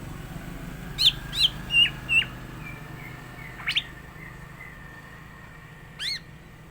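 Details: Cucak ijo (green leafbird) in full varied 'gacor isian' song, ready as a tutor bird: four sharp slurred whistles in quick succession, then scattered chirps and short notes over a low steady hum.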